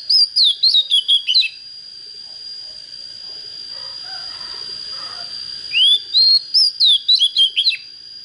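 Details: Oriental magpie-robin, young and just coming into fire, with a proper voice, delivers two lively whistled phrases of rapid rising and falling notes separated by four seconds of quiet. A steady high hum runs throughout.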